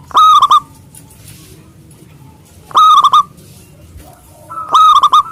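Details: Local zebra dove with a big voice, singing actively to call rivals: three loud, rolling bursts of rapid cooing notes, roughly two seconds apart, with quiet low background hum between them.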